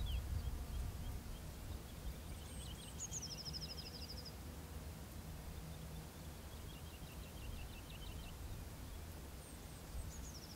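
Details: Woodchat shrike (Lanius senator) giving high, thin phrases: a few descending notes running into a buzzy trill, twice about six seconds apart, over steady low wind rumble.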